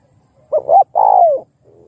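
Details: Single spotted dove cooing phrase, meant to excite other doves; two quick hoots lead into a drawn coo that slides downward, with faint low hum behind.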